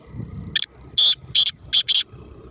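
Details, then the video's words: Black francolin (kala teetar) in the rainy season, giving a short series of loud, harsh, grating bursts. About five rasping notes come within roughly one and a half seconds over a low rural background rumble. "Barsat KalaTeetar 31/5/23 | Siyal Aijaz Black Francolin🔥| Kala Teetar"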